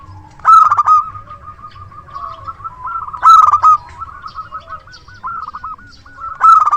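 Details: Local zebra dove decoy singing actively with a loud voice: three loud bursts of clipped, ringing coos about 2.8 seconds apart, separated by soft rolling trills.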